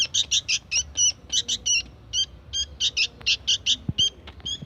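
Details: Young sooty-headed bulbul in lively song, giving rapid bursts of short bright chirps in irregular groups of two to four, with brief pauses and a soft thump near the end.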